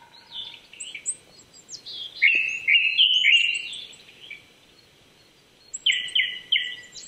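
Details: Morning song of a Japanese thrush at 800 m, Chichibu, Saitama, Japan, April 2019. Varied warbling whistles run together in a long loud phrase, then resume after a pause, amid high sharp notes from other birds.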